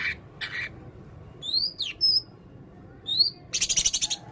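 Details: Male blue-crowned hanging parrot with red throat, singing: high thin whistled slurs, rising and falling, then a fast rattling burst of sharp notes, with some broader rustling sounds between.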